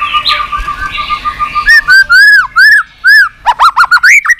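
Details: White-rumped shama song of the continuous 'tạch' style, played to stimulate a weak-spirited bird. A steady, faintly pulsing tone comes first, then loud clear arched whistles, and finally quick rising and falling whistled notes in a rapid cluster.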